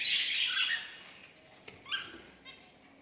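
Zebra finch giving a loud, nasal, buzzy call, followed by softer chirps.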